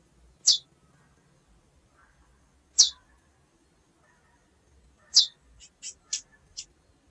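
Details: Female chestnut-bellied seed finch calling: three loud high chips about two seconds apart, the last followed by a quick series of four softer, shorter chips.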